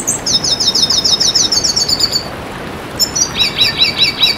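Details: Red siskin singing for a masteran recording: a long, quick, high-pitched stuttering trill that slides slightly downward, a pause, then a run of bouncy doubled chirps.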